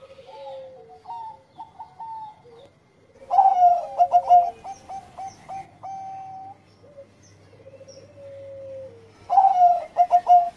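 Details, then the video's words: Bangkok zebra dove in full engkel-style song, meant to stimulate breeding mood; quiet stepped coos lead into loud rhythmic pulsed cooing bursts, repeated about every six seconds with soft whistled notes between. "Pancingan menaikan birahi Perkutut Bangkok Gacor Suara Engkel"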